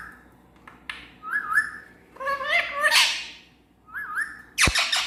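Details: A talking parrot gives wavering whistled notes, then a run of stacked, voice-like syllables that rise in loudness, ending in a sharp, harsh squawk burst; room background otherwise quiet.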